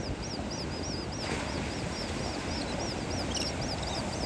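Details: Terns on a beach call constantly, short high arched notes tumbling over one another about twice a second, over a steady low roar of wind and surf.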